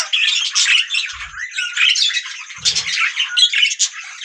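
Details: Budgerigars chirping and chattering in a dense, continuous flock chorus of rapid warbled squawks and tweets, a steady busy babble with brief low thumps around the middle and end.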